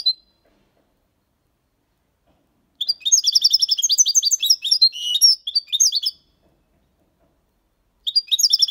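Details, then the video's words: A European goldfinch aged six months sings the clean copia Malaga style for tutoring young birds: a brief note, a pause, then a long three-second stream of sparkling twitters and trills, and the start of another phrase. "Jilguero cantando Limpio 6 meses/ chardonneret chante la copia Malaga / Goldfinch singing"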